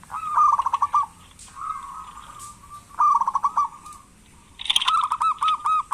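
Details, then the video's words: Zebra dove, local type, a frequent caller used as a lure to make lazy doves call: three rippling coo phrases about a second each, the last followed by a fast train of clipped, evenly spaced notes. "Perkutut lokal gacor pancingan perkutut malas agar bunyi"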